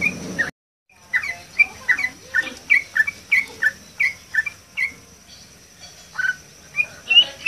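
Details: Yellow-vented bulbul in full song above water. After a brief silent gap, bright, slurred whistled notes, often paired, follow each other roughly every half second against a quiet background.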